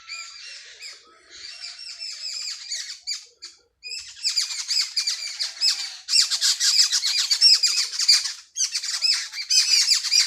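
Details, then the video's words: Sparrows calling early in the morning in a village: rapid, clipped chirps that start sparse and build into loud, dense bursts of chattering, broken by brief gaps. "صبح سویرے گاؤں میں چڑیوں کی چہکار"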